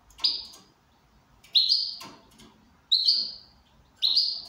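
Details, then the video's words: ['Goldfinch in good condition repeating a sweeping, slightly nasal note about every 1.3 seconds, four times, with faint rustling between.'] "Switty goldfinch in good condition."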